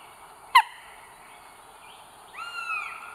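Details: Northern goshawk at a nest live camera, the mother with 3 eggs, North Estonia, 30 April 2022: one drawn-out, slightly falling wail near the end, following a single sharp knock, otherwise quiet surroundings.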